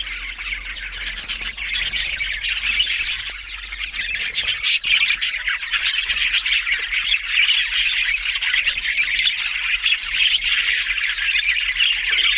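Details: Many budgerigars chatter together in a long, dense stream of squawks, chirps and quick ticking notes that grows slightly louder over time.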